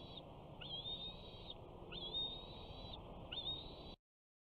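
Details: Bald eagle eaglet, 68 days old, calling at its nest at Big Bear on 21 June 2019, the first day of summer, as a parent flies in with fish: high thin whistled cries, rising then falling, repeated in a steady series over a low hum.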